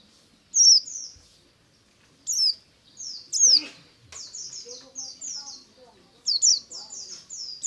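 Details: White-eye singing in the morning in the ngalas style. Bursts of very high, thin, down-slurred whistled notes come in quick runs, then fall silent. Softer, lower chirps sit between the bursts.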